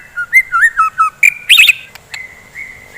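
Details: Morning song of a white-rumped shama, meant to stir fighting birds into singing: quick looping whistled notes, then a burst of high chattering, ending in long steady whistles.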